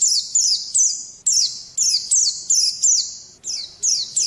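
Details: Pleci white-eye kept as a pet, loud ringing high notes that sweep down sharply, delivered in strong repeated phrases about three per second over a clean background.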